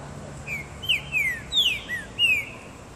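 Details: Green-winged saltator set out in a garden in the sun, singing a loud, ringing phrase of about six clear whistled notes, most slurring downward, over a low steady background hum.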